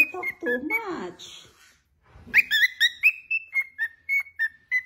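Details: Pet cockatiel mimicking words, then whistling: garbled, voice-like chatter with sliding tones, a short gap, then a run of clear, short whistled notes repeated about four per second, falling slightly at the end.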